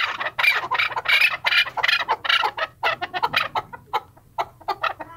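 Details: Chukar partridge with loud, harsh, rasping clucks in rapid bursts, the notes growing shorter and more spaced toward the end.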